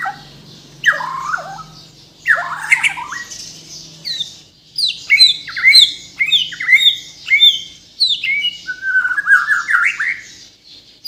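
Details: White-rumped shama of Bornean stock from Kalimantan singing a full 'gacor full isian' song: varied whistled phrases, sweeping notes and quick chirps from about 0.8 s onward, ending in a rapid buzzy trill, over a low steady hum.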